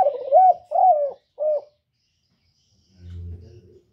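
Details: Spotted dove lure call used to stimulate doves: one phrase of three mellow, hoarse coos, the middle one longest, followed by a brief low rumbling noise.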